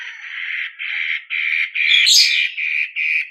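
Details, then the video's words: Long-tailed shrike singing as a lure to prompt other birds into song, giving a steady series of harsh, grating notes about three per second, one rising into a shrill squeal. "Pancingan Cendet Matahari Gacor"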